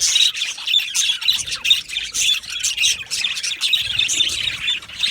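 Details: Aviary flock of Australian budgerigars: busy overlapping chirps and raspy chatter, punctuated by short clear whistled notes every second or so, constant and high.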